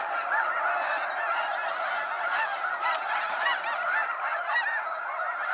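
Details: Evening fly-out of snow geese in waves at Sacramento National Wildlife Refuge: loud, dense honking from a vast flock, many short yelps overlapping, with a few brief sharp ticks heard among the calls.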